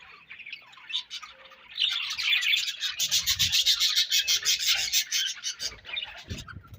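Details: Budgerigar colony sounds: quiet twittering, then a loud run of fast, rhythmic raspy chirps, several per second, over ongoing warbling chatter before it settles back down.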